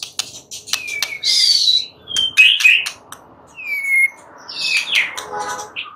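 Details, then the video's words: White-rumped shama at night, singing lure phrases that invite a reply: clean descending whistles and sharp high chips separated by brief gaps, over a faint background hiss. "Pancingan Murai batu MALAM HARI Auto NYAUT GACOR"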